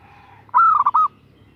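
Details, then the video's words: A single short phrase from a female zebra dove calling to a male. The coo is loud and clear, with a quick series of rolling, bubbling pulses at an even pitch over a faint low hum. "Perkutut Betina Memanggil Jantan"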